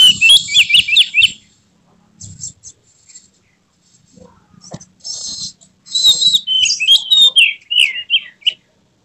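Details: An emotional Oriental magpie-robin, tail opened, sings a full repertoire: a rapid run of repeated whistled notes, a quiet gap with soft clicks, then buzzy bursts and a string of quick falling whistles.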